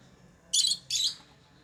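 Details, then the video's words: Pet lovebirds chirping: two sharp, high, scratchy chirps about a third of a second apart, then quiet. "Love birds Sounds | lovebirds chirping sounds"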